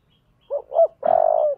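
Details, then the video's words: Spotted dove cooing in the 'giọng thổ' voice style used to spur fighting: two short hollow coos, the second rising, then a long, rough, burry note, clean with no other sounds. "cu gáy giọng thổ/ cu gáy thúc đấu"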